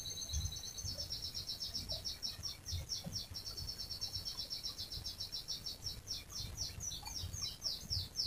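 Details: Long rolling canary song meant to set other canaries singing: continuous high trills of quick repeated syllables throughout, over a faint low-pitched background hum.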